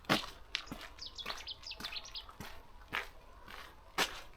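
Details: Cetti's warbler song in a Dutch wetland reed bed in mid-March: one sudden burst of loud, clipped notes lasting about a second, over crunching footsteps on a fenced path.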